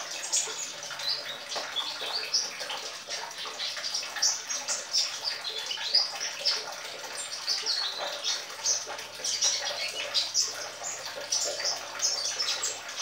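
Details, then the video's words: Young sunbird learning to sing: a continuous, jumbled chatter of thin, high chirps and twitters over a steady hissing background. "Kolibri muda brlajar ngoceeeeh"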